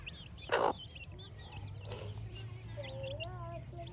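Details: Baby chicks at play, chirping in fast high peeps, with a loud thump early on and a lower, smooth, gently wavering tone toward the end over a low hum.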